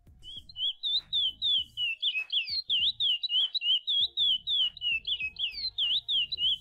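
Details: Chestnut-bellied seed finch (Sporophila angolensis) singing a classic Paracambi song with a "mateira" saw ending: a fast, continuous run of clear whistled notes, about three per second, sliding up and down, over low thumping.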